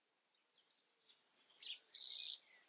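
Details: European robin giving a few thin, very high whistles and drawn-out pure tones, separated by short gaps, in a quiet setting.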